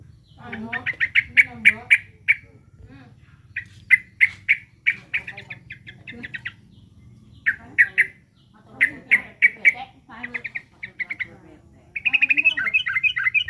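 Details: Sooty-headed bulbul singing in bursts of rapid, staccato chattering notes, with short pauses between phrases and a brighter, warbling run of rising and falling notes near the end; a low steady hum underneath.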